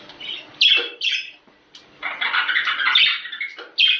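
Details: Budgerigar calls used to encourage mating: a few sharp squawks separated by gaps, then a longer stretch of scratchy, warbling chatter ending in another loud squawk.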